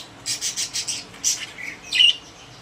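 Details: Pet budgerigars kept in a cage, several short bright chirps in a quick run, then a couple of harsher scratchy notes and a louder squawky chirp near the end.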